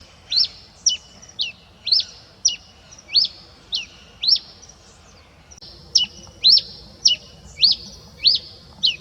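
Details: Red pileated finch singing before dawn: sharp, high downslurred notes repeated roughly every half second, with a short pause midway before the series resumes. The background is quiet.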